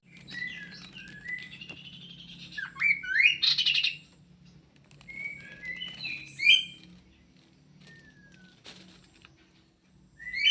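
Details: Aviary-kept kidangan kaso kaso delivers scattered high chirps and slurred whistles, some rising and some falling, in uneven clusters with quiet gaps between them and a faint low hum in the background.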